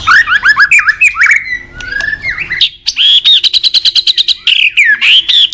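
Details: White-rumped shama song meant for training other shamas, opening with quick whistled swoops, a softer buzzy passage, then a long series of sharp rapid chips and high whistled notes.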